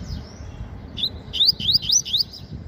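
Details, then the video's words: Captive Double-collared seedeater in morning sun, singing a 'meio canto' phrase: five or six bright, upward-sweeping whistled notes in quick succession after a soft lead-in, over faint low hum. "Coleiro Papa-Capim Revelação Meio Canto Cantando Muito"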